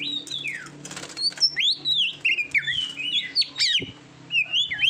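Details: Oriental magpie-robin (kacer) training song for competition birds, Indonesia: clear whistled notes sliding down and up, separated by brief pauses, with a faint low hum in the background.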